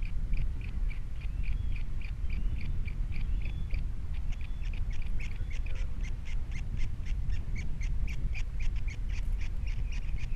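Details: Osprey at a Captiva nest with three chicks, 21 February 2022, after the female has left. A steady run of sharp, high chirped calls repeats roughly every third of a second, over a constant low rumble of wind.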